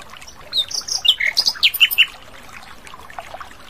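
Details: Asian brown flycatcher singing clearly in the wild. Varied high whistled notes swoop and jump in pitch for about a second and a half, followed by faint background twitters.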